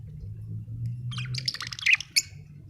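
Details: Budgie giving a quick run of rapid, buzzy chirps and scratchy warbled notes for about a second, ending in a few sharp tweets, with a low droning hum underneath.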